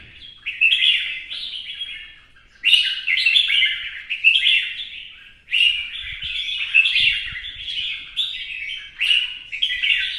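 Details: Red-whiskered bulbul from Vietnam singing in competition with a fanning dance display; loud warbled phrases, each about a second long, come in quick bursts with short pauses between, bright and slurred throughout.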